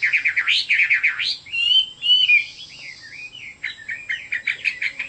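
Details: Singing Chinese hwamei mixing buzzy, rattling notes with clear sliding whistles, the phrases changing constantly and ending in a quick string of warbled notes.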